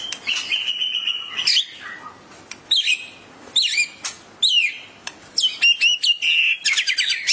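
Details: White-rumped shama singing excitedly in response to a training recording: a rich run of clear whistled phrases, sliding notes and rapid chattering trills, with loud high bursts separated by short pauses.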